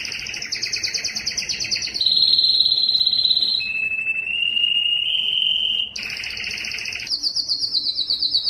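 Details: Yellow canary singing a chain of trills: fast high pulses, then a long smooth whistled roll that steps lower and rises again, ending with bright rapid repeated notes.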